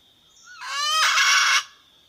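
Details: Wild red junglefowl hen calling a rooster: one drawn-out, rising, harsh nasal squawk lasting about a second, with a thin, steady, high-pitched drone behind it.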